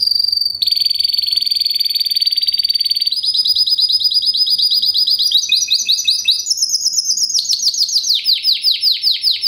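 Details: Long unbroken classico Timbrado Español canary song from a fast, metallic, strong 2013 bird: continuous rolls changing pitch in steps, ending with a series of slower, sweeping descending notes.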